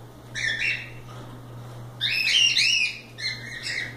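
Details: Cockatiels loose and playing produce harsh, raspy squawking notes in two clustered bursts, the second louder and buzzier, with a low background hum.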